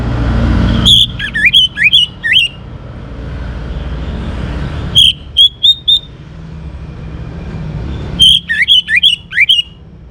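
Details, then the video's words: Young orange-headed thrush in full song, played to spur other birds into singing: three bursts of sharp, clicky whistled notes with quick up-and-down slurs, separated by pauses of about three seconds, over a steady low traffic rumble. "ANIS MERAH Muda Gacor Untuk Pemancing Burung Berani Berkicau Ngeplong juga Teler"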